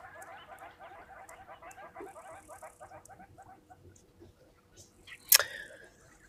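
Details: Two hornbills heard live at a waterhole, perhaps displaying, courting or strengthening their bond: quick repeated clucking notes in a steady run that slows and fades, followed by a sharp loud click.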